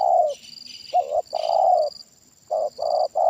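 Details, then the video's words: Spotted dove (tekukur) lure bird with a big voice, giving deep, hollow coos in a quick uneven series, some short and some drawn out; faint high chirps from other small birds above. "Tekukur Suara Besar Kuk"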